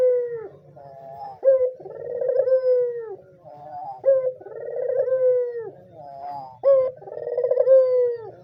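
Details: White ringneck dove, a calling bird used as a lure or training model for doves learning to call and to stir male breeding urge: rolling, throaty coos that open with a short rising note, then a long falling purr, repeated about every 2.6 seconds over a low hum.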